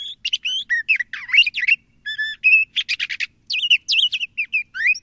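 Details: Dense, rapid singing from a LeConte's thrasher: tumbling whistles, harsh buzzy notes and sweeping slurs packed closely together with almost no pause.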